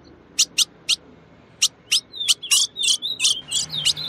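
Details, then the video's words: Female ultramarine grosbeak (azulão), whose song is used to get males singing: a few spaced, sharp chip notes, then a rapid, high, rolling twitter of slurred whistles repeated in a steady pulse. "CANTO DO AZULÃO FÊMEA - PARA DEIXAR QUALQUER AZULÃO MACHO CANTANDO MUITO"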